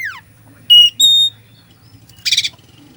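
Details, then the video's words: Brief stretch of Oriental magpie-robin song meant to provoke a sluggish bird: a quick falling slur, two clear sustained whistles, then a short harsh buzzy burst over a low hum. "Kacer full isian , cocok buat pancingan emosi Kacer lemot"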